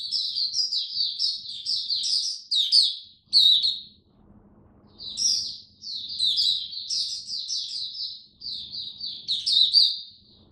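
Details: Hobby oriental white-eye, diet tuned for cold, rainy weather, 8 October 2022; bursts of high, rapid chattering chirps and downward slurs separated by short pauses, with a steady faint low hum.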